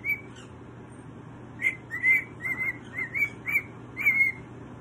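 A pet cockatoo whistles a short tune of clear, slightly warbling notes repeated in quick phrases.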